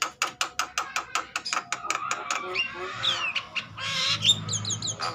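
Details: Javan myna agitated and singing, used to stimulate other mynas: a fast series of rhythmic harsh clucks, then a noisy jumble of squawks and thin high whistles.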